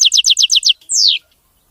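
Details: European goldfinch song, described as clean and free of mistakes: a quick run of seven sharp, descending chirps, then one long falling whistle, in a quiet setting.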